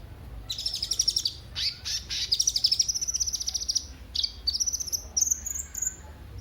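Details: Kolibri ninja sunbird song used as a lure for other birds: very high, sharp, rapid trills of clipped notes, repeated in bursts, with brief pauses between runs and a final rising sequence.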